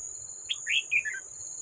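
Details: Wild red-whiskered bulbul, an old bird at a trap with a decoy, 18 July 2024: a quick phrase of a short chirp followed by three clear slurred notes stepping downward, with steady insect drone behind.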